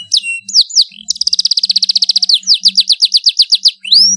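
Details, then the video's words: Domestic canary singing loudly and continuously, used as a master song for training young canaries: high sweeping whistles, then a fast even trill of about twenty rapid notes, followed by a slower series of repeated rising-falling chirps. "kenari GACOR suara LANTANG cocok untuk MASTERAN dan PANCINGAN kenari BAHAN dan Paud"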